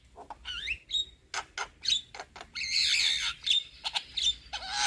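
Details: Young Javan myna chattering, with rising whistled squeals and dry clicking notes, then a drawn-out, harsh hissing passage before more short rasps.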